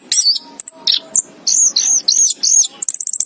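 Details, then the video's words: Orange-headed thrush, called anis kembang, giving a dense, loud string of piercing high chirps and arched whistles in quick succession, ending in a fast twittering trill. "chirping of the anis kembang bird"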